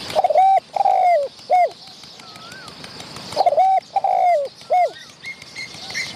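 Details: Wild spotted dove near a decoy bird, chasing and fighting other wild birds close to the filming spot, showing off with cooing: two phrases of three mellow cooing notes, the last falling, plus a faint rising whistle between them.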